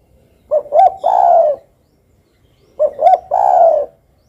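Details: Two spotted dove phrases a little over two seconds apart. Each has a short note, a slightly rising second note, and a long, smooth, falling coo.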